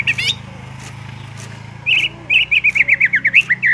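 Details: Greater green leafbird, kept as a reference singer for training other birds, singing vigorously in the 'ngentrok' style: a brief high phrase, then a fast run of short whistled notes wavering up and down, over a steady low electrical hum.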